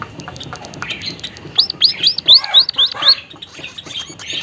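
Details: White-headed munia (emprit haji), a seed-eating bird of Sumatra, Java and Bali, starts with soft ticks, then gives a quick run of six high up-slurred whistled notes, ending in buzzy chatter.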